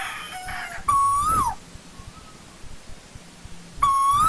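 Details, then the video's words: Asian koel in old-growth forest: two loud, clear whistled notes about three seconds apart, each holding level, then lifting briefly and dropping away at the end. A faint, softer note sounds in between over low background hum. "Tiếng chim TU HÚ rừng già"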